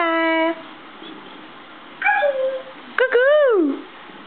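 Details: African grey parrot indoors on a kitchen table, full of morning energy and in a good mood: a steady harmonic whistled note, a short falling note, then a loud arched whistle rising and dropping away.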